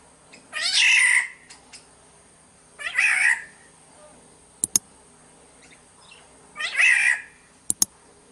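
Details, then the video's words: Black-naped oriole of Sumbawa, in a recording used as a lure: three harsh, nasal, cat-like mewing calls about two to four seconds apart, each under a second long, with two sharp clicks between them against a quiet background. "Pancingan suara burung kepodang SUMBAWA"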